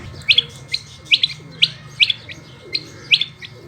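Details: Calling female rain quail, also named harlequin quail or batair: crisp high double notes, each bright chip followed by a softer echo note, repeated roughly every half second over a low humming background.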